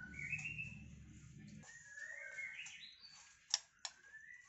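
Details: A male White-rumped Shama, semi-tame and hand-raised since fledgling, sings clear, sliding whistled phrases with a couple of sharp clicking notes.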